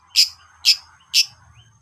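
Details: ['Long-tailed shrike: three sharp, harsh notes evenly spaced about half a second apart, with a faint low hum beneath.']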